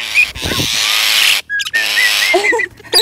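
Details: Pet crested mynas, excited on an outing to a riverside and farm, chatter in short whistled notes and a few harsher, lower squawks, set against a steady rushing hiss of running water.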